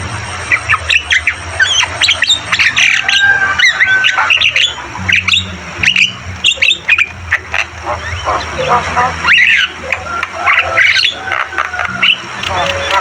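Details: Long, varied Javan myna song: continuous chatter, squawks and short whistles in uneven bursts, over a persistent low hum.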